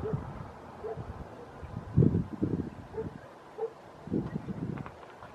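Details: An ashy-headed goose in the town of Puerto Natales, Magallanes Region, Chile, gives low, rough, grunting bursts at irregular intervals, mixed with a few short, higher, clipped notes, with faint rustling underneath.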